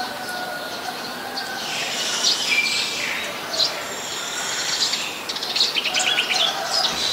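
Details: Streak-eared bulbul in Ubon Ratchathani, Thailand, 29 February 2020: bursts of quick, bright chirping notes in loose series, one drawn-out whistle partway through, against a constant low droning background.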